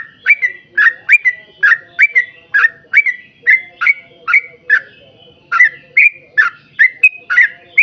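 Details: Yellow-vented bulbul in busy, long rapid-fire song used as a lure to set other bulbuls singing: a fast string of liquid, gurgling whistled notes, briefly pausing midway before resuming just as briskly.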